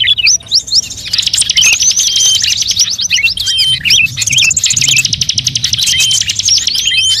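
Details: Calls for luring birds, combining many songbirds: opening scattered chirps build into sustained fast trilling and twittering, with looping whistled notes woven through.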